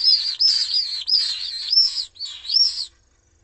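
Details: Screaming common swift nestlings, three chicks in a webcam-monitored nest in Jerez de la Frontera, Spain, attacked by an intruder in the parents' absence: loud, piercing, undulating high trills in four long bursts, then quiet.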